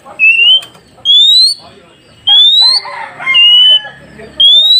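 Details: Oriental magpie-robin whistles for drawing replies from newly caught wild birds: steady upward-sliding and flat notes repeated about once a second, with softer, lower chattering notes mixed in midway.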